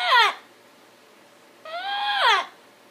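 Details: Pet parrot talking in its sleep indoors: two drawn-out, whining, voice-like sounds, a short falling one and then a longer one held level before dropping, separated by about a second of quiet room.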